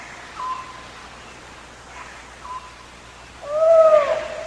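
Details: Ural owl at night. The male gives a territorial call and the female answers with squeaky calls as she approaches. Here two faint, brief squeaky notes, then a louder, hoarse, drawn-out bark near the end, against a quiet night background.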